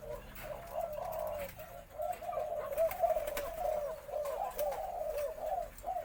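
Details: White-coloured Spotted Dove, possibly female, giving a full four-kuk khan yon crow in a medium-to-large, deep voice, played back from a recording: soft, low, rolling coos in repeated phrases, with faint clicks and room noise.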